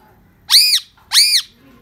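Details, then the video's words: Rose-ringed parakeet, described as a talking pet parrot in Pakistan, recorded 9 March 2024: two loud, harsh, arched screeches about half a second apart, each rising then falling, in an otherwise quiet room. "Bat karne wala tota parrot"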